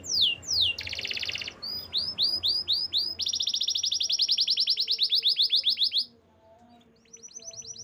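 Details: Canary song with quick downward-sweeping notes, a short buzzy burst, then a long steady rapid trill of about twenty notes repeated evenly, a pause, and a quieter resumed trill.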